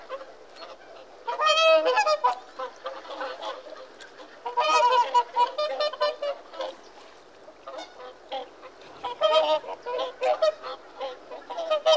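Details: Whooper swans calling: loud bugling honks with rich harmonics in bursts around two, five and nine seconds, overlapping voices of several birds, quieter honking between.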